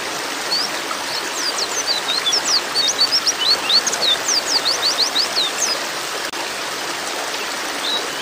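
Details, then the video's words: A flock of white-eyes (pleci) gives a busy chatter of thin, high chirps and quick slurred notes, overlapping almost continuously above a steady rush of running water. "TERAPI PLECI OMBYOKAN"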